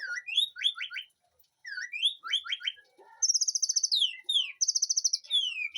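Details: Aviary-kept white-rumped shama in a home garden giving groups of rising slurred whistles, then fast buzzy trills repeated in short bursts.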